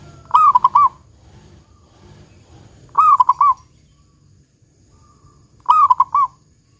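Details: A 'kung besar' song from a local zebra dove, used as a lure for other doves to sing. Three low, stuttering cooing phrases come about every two and a half seconds over a soft background rumble.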